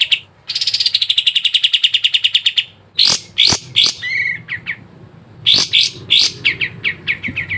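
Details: Sooty-headed bulbul lure recording meant to prompt caged birds into song: a long, fast buzzy rattle lasting over two seconds, then loud sharp chirps, a brief slurred phrase and quick descending chip notes.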